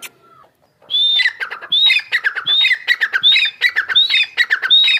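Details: Grey francolin, large bird, calling on 28 March 2024: loud, ringing phrases repeated about every 0.7 seconds, each opening with a high, clear, slightly rising whistle and running into a harsh, stuttering series of lower grating notes, with a quiet background.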